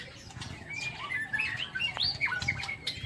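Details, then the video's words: White-rumped shama in an aviary, singing in the morning: varied whistled phrases with rising and falling slurs and quick chirps, mixed with clicks and fluttering. "Tiếng Chích Chòe Lửa độc lạ hay"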